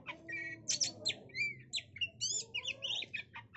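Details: A female Oriental magpie-robin gives a fast, lively run of varied whistles, chirps and scratchy notes, used as a lure recording for trapping, with a faint low hum in the background.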